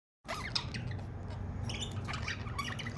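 A budgerigar chatters in a fast, scratchy warble of squeaks and chirps, broken by a few sharper squawks over a steady low hum.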